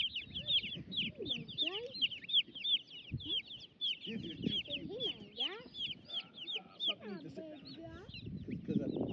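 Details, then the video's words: Baby chicks roaming about together with turklings cheep constantly in a dense flurry of high, thin, overlapping chirps several times a second, over soft low rustling and a murmur of voices; soothing chick sounds. "Soothing Sounds Of Baby Chicks Chirping"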